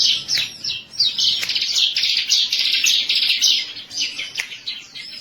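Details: A bar-winged prinia's lure song for training birds runs as a continuous high, shrill, chattering trill, pulsing in quick waves without a break.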